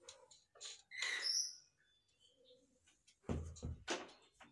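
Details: A baby black German Beauty Homer pigeon gives a few thin, high squeaks, broken up by knocks and bumps from handling in a small room.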